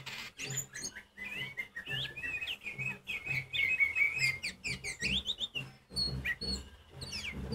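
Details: Oriental magpie-robin, kacer poci, pours out a loud, varied composed song meant to stir other magpie-robins to sing. Rapid trilled whistles and buzzy chirps run densely, with a low rhythmic hum underneath.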